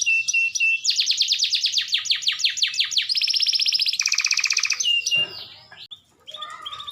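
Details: Canary song, used as a prompt for canaries that seldom sing: a staccato opening, a long sweeping trill, then two flat buzzy rolls at different pitches, fading into softer scattered notes with faint background rustling.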